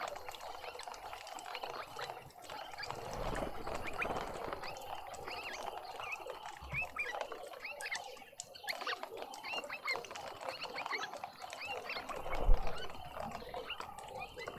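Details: Dark-capped bulbuls in a suburban garden in Pretoria, South Africa, where a parent feeds its fledged babies: a busy stream of short, bright chirps repeated many times a second, with low rumbling thumps and faint background noise beneath.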